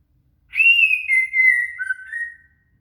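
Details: Shama (murai) song for training a cililin: a pure whistled note that starts slightly higher, levels off for over a second, then drops briefly to a lower tone before rising back near the end.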